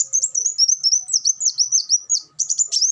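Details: Olive-backed sunbird in a continuous stream of high, rapid, slurred twittering notes, rising and falling quickly, with only a brief pause near the end before the trilling resumes.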